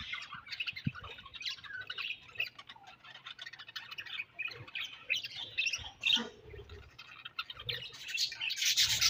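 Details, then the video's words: Colony of budgerigars chattering together: dense, overlapping squawks and chirps, continuous and busy, with louder harsh bursts near the middle and a rising crescendo of noisy chatter at the end. "Budgies Colony Chirping Sounds"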